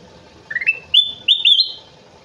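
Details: Kutilang emas bulbul in vigorous song: one phrase of clear whistled notes stepping upward in quick slurs, then two bright, ringing, higher whistles that hold steady, with a faint low hum behind.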